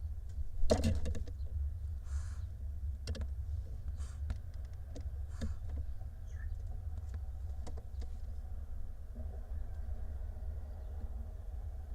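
Low steady hum with scattered clicks and knocks, and no animal calls.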